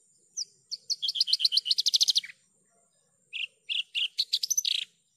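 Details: Javan bush lark in full song for bird training: an accelerating series of crisp chirps building into a rapid rattling run, a pause, then a second rising run of chirps and buzzy notes, faint steady whine behind.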